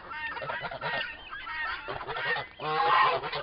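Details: Four-month-old turkey toms fighting longer than usual. Continuous rough squawking and grating chatter, ending in a louder stacked, honking cry.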